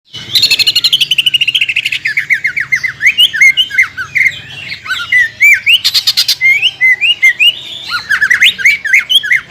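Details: Greater green leafbird song used as a lure to provoke singing in competition birds: loud, varied whistled phrases around high pitch, rapid descending slurred notes and fast trills, with bursts of harsh chatter.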